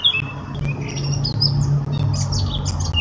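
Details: Brief, thin warbling notes of a Eurasian blackcap, high and slurred, half-buried under a steady low droning hum that dominates the recording.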